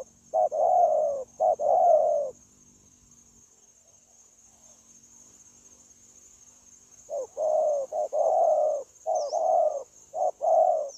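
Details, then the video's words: Wild-caught spotted dove recorded 9 January 2024 during dove trapping, cooing in linked phrases. Two short-long coo pairs open, a roughly five-second lull follows, then four more quick low coo pairs; a thin high insect-like whine runs throughout. "Bổi Quá Chịu Gù | Nết gù liền lạc liên tục"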